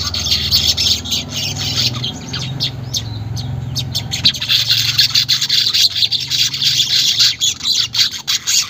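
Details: Caged-bird stimulus recording of weaver song, unedited: a steady high, hissing chatter with fast repeated chirps, nearly unbroken throughout, over a faint low hum.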